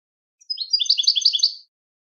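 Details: European goldfinch song used for training birds to sing: a clean phrase of rapid, rhythmic tinkling twitters, about six per half second, lasting roughly a second, with no other sounds.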